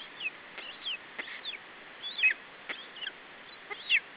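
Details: Estonian lesser spotted eagle chick, 21 July 2012, keeping its food from a parent: thin high whistled yelps, some slurred downward, mixed with dry clicks. The final squeal is the strongest.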